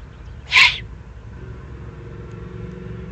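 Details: One short, hoarse hissing screech from an excited young eagle-owl in the Eifel, Germany, June 2020, followed by nearly three seconds of low rumbling traffic-like background.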